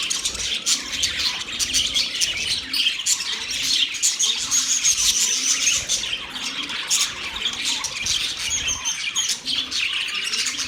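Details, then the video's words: Budgerigars chirping, a dense, continuous chatter of high, scratchy squawks and warbled notes with a brief whistled phrase in the middle, several birds overlapping throughout. "Budgies chirping sounds"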